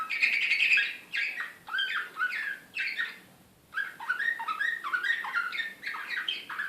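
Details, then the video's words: Serbian Slavujar canary, Belgrade 2016, described as excited, singing bursts of sweeping, warbling chirps and high buzzy notes, with a brief silent gap midway before the song resumes. "SLAVUJAR SRPSKI BEOGRAD 2016"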